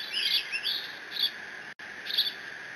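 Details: Young bald eagle at the Decorah nest squeeing as it mantles a fish brought by its father, June 30: thin high chittering squeals, a quick cluster early then a single burst near the end, with constant background hiss.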